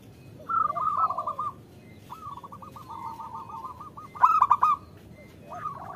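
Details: Female zebra dove call meant to draw males into singing: a long rapid run of even, hollow cooing notes on one pitch, bracketed by louder rolling phrases, with faint lower coos from another bird and a short clicky burst near the end.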